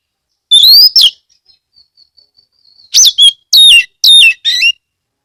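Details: Loud lure song of an Oriental magpie-robin kept in Kebumen, Central Java, Indonesia, played to make other magpie-robins sing: clear rising whistles, a faint thin trailing note, then four strong down-slurred whistled phrases in quick succession.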